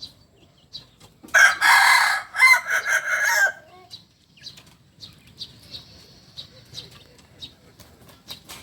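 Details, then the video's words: Close, rasping crow of a Kukuak Balenggek cock, a native Solok chicken, runs about two seconds in coarse bursts, with a thin, high buzzing note and scattered small-bird chirps afterwards. "Ayam kukuak balenggek ayam asli solok"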